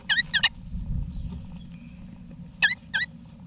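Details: Wild eastern rosella parents with chicks in a backyard nesting box in Australia, November 2018: two pairs of short, harsh, harmonic-rich calls, one pair at the start and another near the end, over a steady low rumble.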